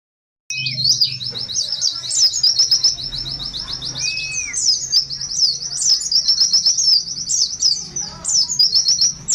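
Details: Mountain white-eye of the buxtoni form singing a long, fast, high twittering song of rapid chirps and trills running almost without pause, with one lower slurred whistle and faint background hum.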